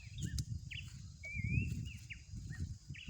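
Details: Wild Horsfield's babbler giving short clear whistles and one longer drawn-out rising whistle, spaced irregularly, with strong low rumbling environmental noise throughout.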